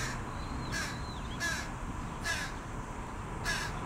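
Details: A young carrion crow, as large as its parent, begs for food with four short, harsh, grating caws spaced about 0.7 seconds apart. A faint thin whistle sounds early, over steady low rumble.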